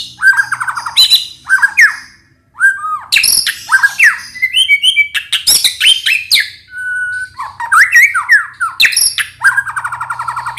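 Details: White-rumped shama song used as a lure to make other birds sing and respond: loud varied phrases of rising whistles, sharp harsh bursts and rapid chattering notes, with a long pure whistled note near the middle and short pauses between phrases.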